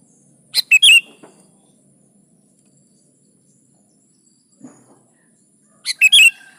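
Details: A sooty-headed bulbul singing steadily, used as a lure so other kutilang join in. It gives two short phrases about five seconds apart, each a sharp note followed by rising and falling whistles, with a soft knock between them.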